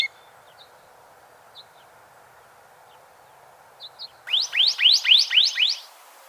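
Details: ['Canyon towhee singing. A few faint, scattered high chips come first, then a loud, fast burst of about five down-slurred notes that tumble quickly one after another.']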